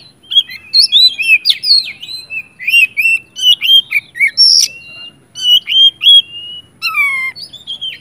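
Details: Oriental magpie-robin in energetic full song, used to provoke other magpie-robins into singing: loud varied whistles, slurred rising and falling notes and rapid trills, phrases repeated about every two to three seconds.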